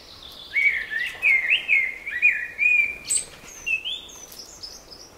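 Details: Birds in spring song: a fast series of zigzagging whistled notes, roughly two per second, then thinner, higher sweet phrases toward the close.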